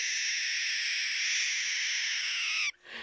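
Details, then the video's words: A cranky baby barn owl (Tyto alba) in rehabilitation, being moved to a larger enclosure before release, gives a long, harsh, breathy hiss held nearly three seconds, then cut off abruptly. "Cranky Barn Owl"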